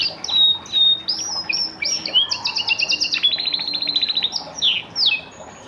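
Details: Orange pet canary, described as a great whistler, singing a lively varied song of bright whistled notes, rapid buzzy trills and falling chirps, phrases changing every second or so with barely a pause; quiet room background.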